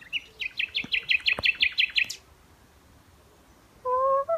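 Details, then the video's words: Common nightingale singing on May Day morning: a rapid run of about eight sharp, high, identical chirped notes repeated in quick succession, then a pause before a low, steady, tonal human-like hum begins. "Human vs Nightingale"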